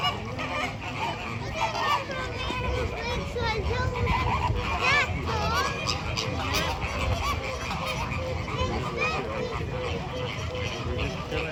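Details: A flamingo flock kept at a zoo gives a busy chorus of nasal honks and short rising and falling calls, dense and overlapping throughout, with a person speaking faintly in the background.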